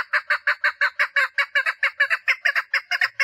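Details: Mating call of a female chukar partridge: a rapid, steady stream of about nineteen grating cluck notes, some of them doubled, roughly six per second.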